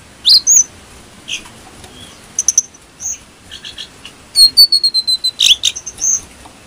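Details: Brown-throated sunbird song for training other birds: scattered high squeaky chips and short whistled notes, closing in a dense flurry of bright, repeated high-pitched twitters.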